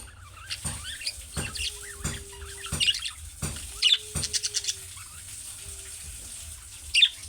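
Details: Budgerigar calling chirps, of the kind chicks give that draw answers from other budgerigars; sharp, high chirps come in scattered bursts amid clicks and taps, with a few short low tones.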